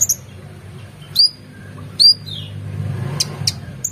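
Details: Oriental magpie-robin singing vigorously, used as a tutor recording for competition birds: a few separate sharp whistled notes, some slurred downward, spaced about a second apart, over a steady low hum.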